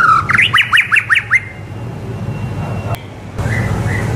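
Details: White-rumped shama in full song, a tutor recording for young shamas; a quick run of about seven repeated sharp falling-rising notes over one and a half seconds, then quiet with faint later notes and low rumbling hum.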